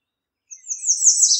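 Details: Singing American redstart: a thin, very high opening note leads into a fast run of downslurred notes that rises in volume, with the song still going when the recording stops.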